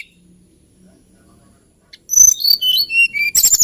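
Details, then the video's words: After near silence with a low hum, a hill blue flycatcher bursts into a quick phrase of high, clear whistled notes that dip and descend, ending in harsh rapid clicks. "TLEDEKAN GUNUNG KICAU MERDU BURUNG ASLI NUSANTARA"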